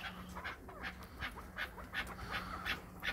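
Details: Kept chukar partridge from Krasnoyarsk, urged on by its owner, giving short clipped notes repeated almost three times a second at a fairly steady pace over a low steady hum.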